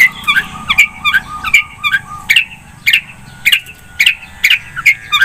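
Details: ['Long-tailed shrike in full song: a steady series of bright, slightly buzzy notes repeated about twice a second, each with a crisp click-like attack, over a low background hum.']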